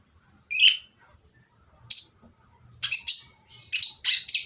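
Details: Oriental magpie-robin giving a noisy, harsh song used to lure silent birds into singing: a few isolated rasping notes with pauses, then a quicker burst of scratchy, high chattering phrases.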